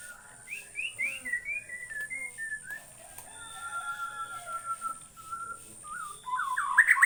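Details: White-rumped shama from Borneo singing a series of clear, slurred whistled notes, some rising and some falling, with a steady high insect-like hiss in the background.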